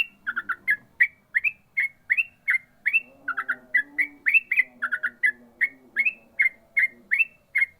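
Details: Trucukan (yellow-vented bulbul) singing ropel style: brisk, nearly unbroken chain of warbled chirps and rising whistles, quick triple-note bursts recurring, over a faint lower hum of background sound.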